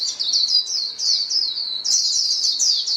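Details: Several white-eyes calling to one another as a flock, meant for prompting caged birds: high rippling twitters, some falling notes, in three bursts with short pauses.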